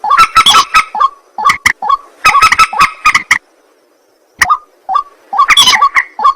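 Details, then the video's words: White-breasted waterhen heard at night: bursts of raucous, honking croaks separated by a clear silent gap near the middle, then more scattered rough grunts. "ruak ruak mandar batu mp3 2 suara burung malam hari"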